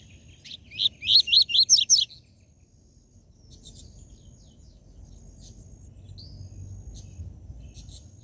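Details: A rusty-collared seedeater gives its "tui tui zel zel" song, a quick burst of about six bright, rising whistled notes, then scattered faint high chirps over a low background rumble.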